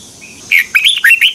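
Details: Red-whiskered bulbul in 'double twisting voice' morning song, used in 2021 to train other birds: one quick phrase of about five bright, twisting whistled notes in close succession.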